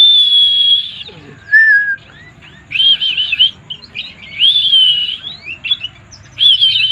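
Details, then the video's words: White-eye, kept as a songbird, alternating long wavering whistles with shorter lower notes and brief twitters, against a low steady hum. "burung pleci mabuk"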